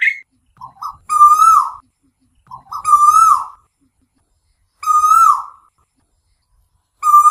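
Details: Asian koel calling, from a night-time lure recording: clear, loud whistled notes, each swelling and bending upward, delivered about every two seconds with short quiet gaps, a few soft lead-in notes before some of them.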